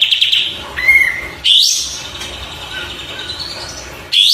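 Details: Oriental white-eye singing in a tutor recording meant to draw replies: bursts of high, thin chirps and a brief rising twittered phrase, separated by quiet gaps, with a faint lower whistled note near the start.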